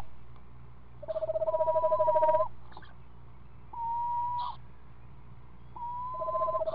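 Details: Screech owl at a nest with a seven-day-old owlet; at feeding time a snake is brought home and shared. A low, even trill rolls for about a second, mixed with flat whistled notes held steady and repeated three times.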